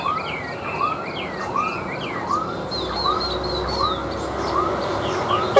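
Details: Chinese hwamei, a tame cage bird set on a table, sings falling slurred whistles over a steady series of rising arcs. A run of high descending notes follows midway.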